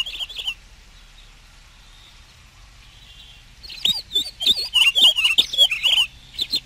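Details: Song of a Pine Grosbeak: brief twittering at the start, a quiet gap, then a lively stream of rapid, slurred warbling chirps rising and dipping, with a steady low hum underneath.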